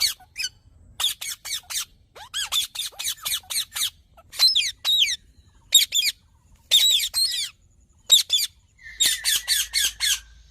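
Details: Green parrot giving strident, rasping squawks in rapid runs of three to five, separated by short silences, with a brief steady tone near the end.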